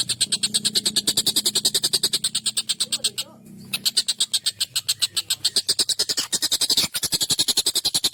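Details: Collared kingfisher, excited and vocal, used as a tutor recording for training songbirds: long, sharp, harsh notes repeated rapidly about three to four per second, with a short pause near the middle.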